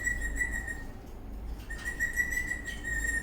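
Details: Eastern rosella parrot whistling in a happy mood while dancing; two sustained level high whistles separated by a brief gap, over faint low hum.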